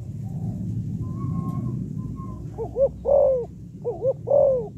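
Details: Female spotted dove calling to stimulate males, a style described as calling, urging and cooing (gáy gọi, thúc, gù). A low rumbling background and a faint thin whistle come first, then two soft, hollow coo phrases, each two short notes and a longer rolling coo.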